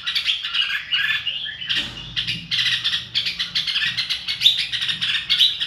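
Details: Red-whiskered bulbul song: a busy stream of chirping, warbled notes in quick pulses, carrying on almost without pause.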